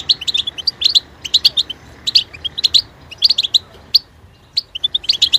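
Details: Bright, rapid twittering from a European goldfinch, clustered chirps and sharp ticks coming in irregular bursts roughly every second, with short quiet gaps between phrases.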